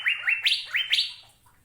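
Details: Short phrase of five ringing, upswept whistles from an Asian fairy-bluebird, alternating lower and higher notes, then trailing into quiet.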